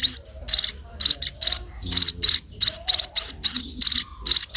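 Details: Sparrows calling while being fed, a series of strident, scratchy high squeals about three per second, some bursts doubled, with faint low background noise.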